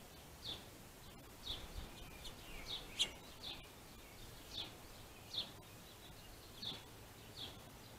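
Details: Finches fighting over a plentiful food source: short high chirps repeated about every half to one second, fairly faint over steady background noise.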